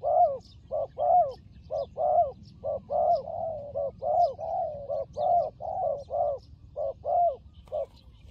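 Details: Long run of low, rounded coos from a fighting turtle dove, repeated steadily about twice a second with brief gaps, some notes dipping and swelling; soft distant chirps above.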